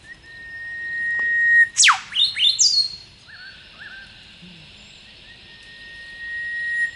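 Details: Elusive whipbirds moving constantly through thick scrub in the bush: a sustained pure whistle breaks into a sharp downward whip-crack, then a burst of quick falling notes, with two short soft calls answering afterwards.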